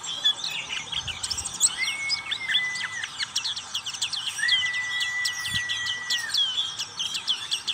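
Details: Black-capped white-eye in ngriwik style, a long run of rapid high twittering, crossed twice by a steady, level, lower whistle lasting about two seconds each, with a couple of soft thumps.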